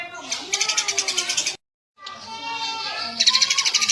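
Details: Eurasian tree sparrow giving fast strings of bright, high chirps in two bursts separated by a brief silence, with low tonal murmuring underneath.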